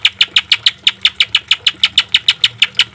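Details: Green leafbird training song with harsh notes: a rapid even series of short sharp buzzy notes, about five per second, with a faint low hum behind.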